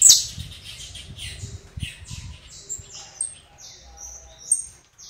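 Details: Canário do reino, a domestic canary, gives a quieter song of high whistled notes and buzzy slurred syllables, opening with a sharp burst and thinning into spaced tones, over faint low-pitched background murmur.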